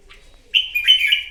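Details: Wild-caught red-whiskered bulbul singing to rival birds at dawn: a brisk whistled phrase opening sharply, then a liquid, wavering trill that fades out, with a faint earlier chirp.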